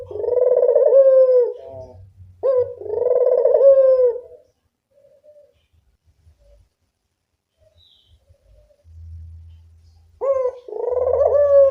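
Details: Lure call of a local puter dove: two rolling, vibrato coos in quick succession, then several seconds of near silence with faint soft notes, before another coo begins.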